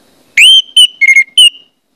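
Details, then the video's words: Lure song of an orange-headed thrush, sung to prompt others of its kind to sing: a crisp burst of four loud whistled notes, the first sweeping upward and the rest clear and ringing. "pancingan anis merah bikin anis merah lain cepat ngeplong"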